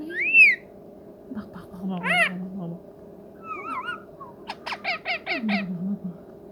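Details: Sweet-sounding pet ringneck parrot utters a loud arched squawk, a wavering whistle, then about six rapid rasping notes in a row, in a quiet room with a faint constant hum.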